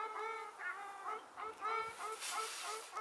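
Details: Ruddy shelducks in late March 2022, seen from a hide near Hergershausen and at Bickenbach, Germany, give loud, nasal, trumpeting honks in quick succession, about one and a half per second, with calls overlapping and running together.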